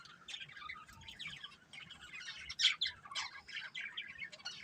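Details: Budgerigar breeding pair kept as pets: busy, scratchy chirping and warbling in quick overlapping bursts, with a few sharper tweets standing out around the middle, over a faint low background hum.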